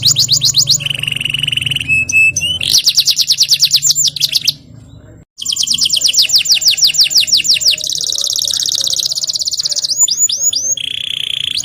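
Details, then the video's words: Canary singing in the Indonesian 'gacor ngerol nembak' style: fast repeated trills and rolling buzzy phrases, a sharp rising whistle series, a brief silent break, then long rapid trills and a steady whistled note, with a low hum beneath. "KENARI GACOR NGEROL NEMBAK | CANARY SINGING"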